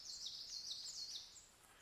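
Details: Common Yellowthroat singing its final song of a field recording, rendered as 'witch witch witch witch': high, sharply repeated phrases, four quick rolling notes about half a second apart, then fading, with no other clear sounds.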